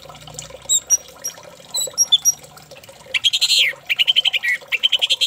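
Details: Orange-headed thrush singing as a lure to prompt another bird to sing: faint thin high notes at first, then loud, dense, buzzy and whistled phrases repeated rapidly in quick succession.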